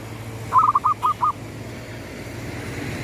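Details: Gedong mengo zebra dove, a local bird, cooing as the sun rises: one short phrase of about five soft, rounded, bubbling coo notes delivered quickly, then faint low background rumble.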